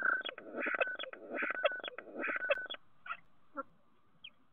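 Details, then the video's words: At a nest box in Théding, France, on 10 March 2023, a common starling gives three loud rattling, clicking bursts with a steady whistled tone beneath, then falls quiet apart from a few short chirps. "Concert au nichoir - 10/03/2023 - Les Étourneaux Sansonnet de Théding"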